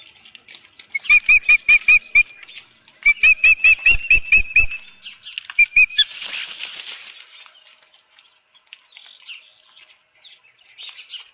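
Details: Osprey calling at its Dunrovin Ranch nest with a fish, 24 April 2018, 4:19 PM: two long runs of rapid, piercing whistled chips, a final pair, then a rushing flutter and soft twittering.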